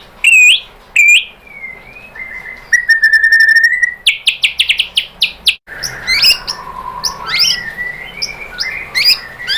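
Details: [2, 'White-rumped shama lure song meant to make another bird answer; loud sweeping whistles, a long level whistle, then a fast rattling burst of notes, an abrupt cut, and softer varied phrases over a faint background hiss.']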